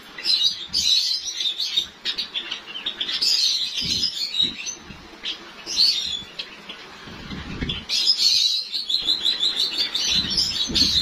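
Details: Captive white Java sparrows in Lahore near the start of breeding season: dense, overlapping high chirps and twitters in long surging bursts, with short lulls, over low thumps and background noise.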